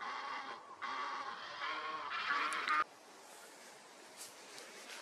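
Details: Egyptian goose from a wildlife camera recording giving a drawn-out, harsh, strained call lasting nearly three seconds, followed by quieter background with a few faint distant notes.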